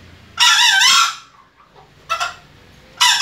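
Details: Young junglefowl crowing for the first time: a harsh, rasping crow of about two-thirds of a second, then two short broken crowing attempts, hoarse and unsteady.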